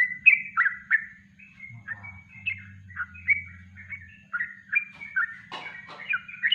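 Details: Yellow-vented bulbul in natural song, recorded as a master recording for training birds: rapid, bubbly whistled notes around mid pitch, some rising and falling, repeated about three times a second with short breaks and a brief clatter near the end.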